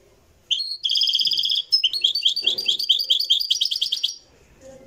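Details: Moroccan goldfinch singing live: a clear, fast, tinkling run of high twittering notes, first a steady buzzy trill, then rapid rising and falling chirps lasting about four seconds over a quiet background.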